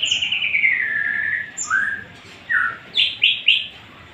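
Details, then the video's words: Song of a white-rumped shama: a long descending whistle, then short slurred notes, ending in a quick run of three sharp high rising-falling notes; faint background hiss. "Tembakan murai batu"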